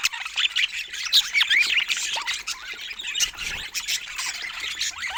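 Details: Budgerigars kept as pets, playing as a group, produce busy, bubbling warbled chatter: rapid squeaks, trills and upward-slurred chirps packed closely together.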